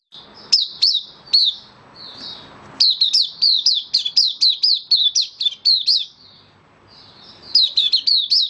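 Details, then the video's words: A caged white-eye (Mata Puteh) in Singapore, recently dewormed and given health supplements, sings a fast run of high, sweet chirping notes, about three per second, pausing briefly before starting again. "Mata Puteh Kitaro buka sing"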